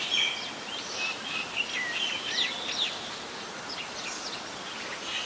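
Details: Oriental magpie-robin, a very common resident bird, singing in Ubon Ratchathani, Thailand, 17 November 2021; varied sliding whistles and sharp chips in a loose sequence, with steady background hiss.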